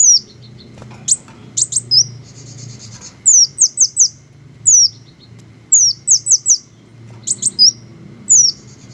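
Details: Green hummingbirds sing very high, thin, downslurred squeaky chips, often in quick runs of two or three, with a short buzzy rattle partway through over a quiet low background murmur.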